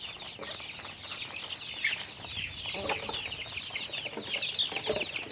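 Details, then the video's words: High, fast, overlapping chirps from chickens during daily activity form a steady chorus with no single caller dominating. "Natural Sounds of Chickens"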